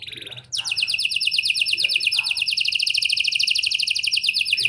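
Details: Canary singing, used to coax young canaries into singing: after a brief soft start, one long, loud, very rapid high trill runs unbroken for about four seconds, gently falling in pitch, with faint low background hum.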